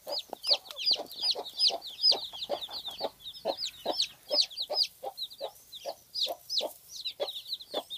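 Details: Agitated domestic hen with a large brood: quick, even clucks about two or three per second, closely mixed with a continuous stream of bright, upward-flicking chick peeps.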